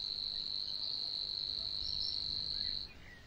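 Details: Savi's warbler in Niepołomice Forest, Poland, June 2020: a steady, dry, insect-like buzzing reel held at one high pitch for nearly three seconds, then breaking off, over faint background hiss.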